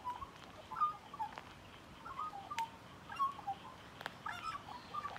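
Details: Magpie up close gives scattered whistled notes and brief warbling phrases, separated by short gaps and punctuated by a few sharp taps.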